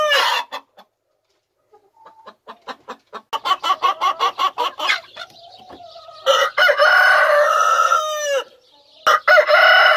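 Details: Pet rooster heard in a run of short repeated clucks that speed up, then a loud sustained harmonic crow with a falling tail, followed by the start of another crow.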